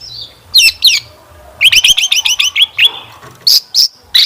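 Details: Long-tailed shrike song from a lure meant to make kept shrikes sing; a thin high whistle, two harsh notes, then a rapid run of repeated bouncy chirps and a few separate sharp calls.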